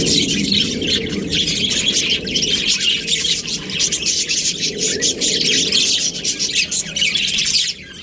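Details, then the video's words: Australian budgerigars, a breeding pair, warbling in continuous high, buzzy chatter with rapid chirps, over a soft lower murmur, ending abruptly. "Australian budgies breeding pair | Budgies chirping sounds"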